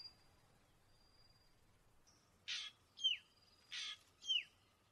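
Desert wheatear giving two short phrases about a second apart, each a harsh, hissing rasp followed by a thin whistle sliding steeply downward. A faint high tone is heard beforehand.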